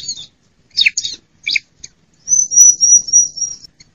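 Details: Female bar-winged prinia call, used as a lure to get a quiet caged prinia singing and to draw wild prinias for trapping in forest and gardens. A few sharp chirps come first, then a thin, very high trill that wavers rapidly.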